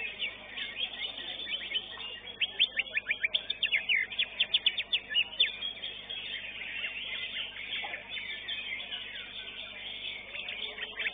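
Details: A greater green leafbird at a bird-singing contest, where it won first place, sings a rapid, high run of sharp chirps and quick downslurred notes with a dense burst in the middle, over a faint background murmur.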